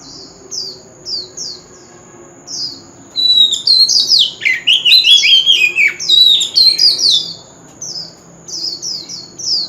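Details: Lure song of a wild-voiced Oriental magpie-robin for singing contests: a few clipped high down-slurs, then a loud, tumbling run of varied whistles and rapid chirps that swoop downward, before the sparse repeated notes return.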